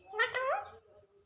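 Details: Brief talking parrot utterance: one gravelly, nasal word lasting under a second, rising then sliding down, then quiet.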